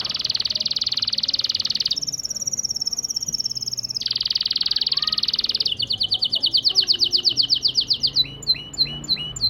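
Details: Syrian local canary singing as a lesson for chicks learning to sing; a long buzzy high roll, a higher tour, then a steady run of repeated notes speeding into short downslurred whistles.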